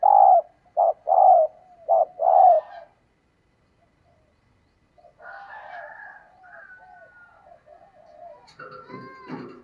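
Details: Spotted dove hen luring males with her call: four loud clipped coos at the start, then silence, then softer varied notes and a clattering, harmonic burst near the end.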